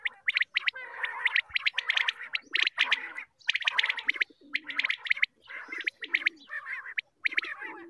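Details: Group of quails calling in the morning, sound used for hunting: dense, overlapping bursts of short harsh notes with rapid repeated pulses, nearly continuous with brief gaps.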